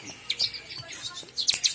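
A Bar-winged Prinia gives quick, high, thin chirps in two short bursts, sharp notes tumbling close together, over a faint background hiss.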